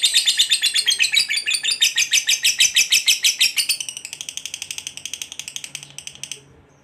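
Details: Fighter lovebird giving its long ngekek trill, used to provoke other lovebirds: a fast, steady chatter of about six sharp notes per second, loud for four seconds, then fading before stopping near the end.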